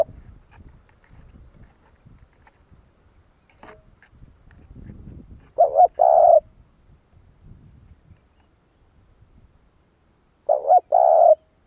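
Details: Spotted dove giving its coo to set other doves calling. Two phrases, about five seconds apart, each a clipped double note then a drawn-out steady coo, with scattered low rustles and knocks between them.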